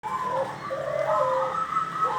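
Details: Wild-caught local zebra dove, trapped in the wild, giving a soft cooing song: rolling, slightly trilled coos around a low pitch, continuous through the clip with faint background noise.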